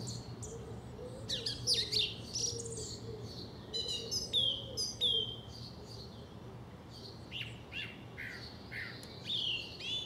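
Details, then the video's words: A song thrush in South England sings loud, varied, whistled and chirpy phrases, some repeated in quick succession, over a low steady background hum. "Song Thrush singing - Grive musicienne"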